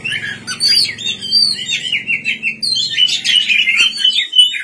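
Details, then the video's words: Continuous night song of a white-rumped shama: flowing, rippling whistled phrases rising and falling, with a soft low hum in the background. "pancingan kacer gacor malam hari"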